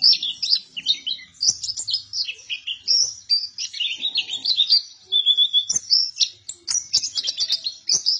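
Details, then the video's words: Buktoni white-eye singing energetically, a lively string of high warbled chirps varying in pitch, including one steadier, slightly lower whistled note midway, with faint clicks in the background. "PLECI BUKTONI GACOR"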